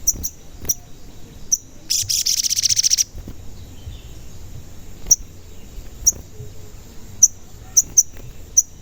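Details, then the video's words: High-pitched chirping sogon (crimson sunbird), used as a lure for wild and kept birds. Isolated sharp cuit notes are broken by one quick, rattling, buzzy trill of about a second. The background is quiet. "Pancingan Sogon Agar Bunyi dan Emosi"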